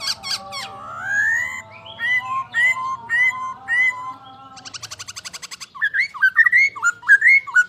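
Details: Masked laughingthrush, a songbird of valleys fed on fruit and insects: a varied song of clear whistled slurs, a series of repeated rising notes, a brief buzzy rattle, then quick sharp chirping whistles.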